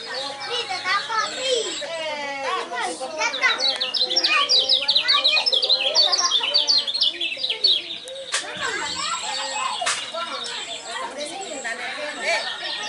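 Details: Singing contest lemon-bellied white-eye, described as continuously singing with a unique, top-winning voice. It sings long bursts of hurried, twittering high chirps and whistles, with voices of people nearby.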